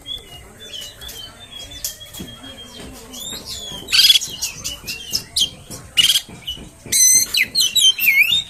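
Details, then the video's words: Oriental magpie-robin song used to provoke other magpie-robins into fighting: varied whistled notes and harsh buzzy bursts, sweeping down-slurred phrases and rapid chattering, loud near the end, with faint low rumbling behind. "PANCINGAN KACER!! terbukti kacer ANDA AKAN NGAMUK!!!!"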